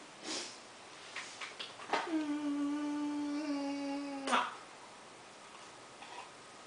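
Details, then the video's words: Pet macaw saying "Maah" while throwing kisses with its foot: one drawn-out, steady, nasal "maah" lasting about two seconds, with short clicks and rustling before and after. "Macaw throwing kisses with foot! Maah!"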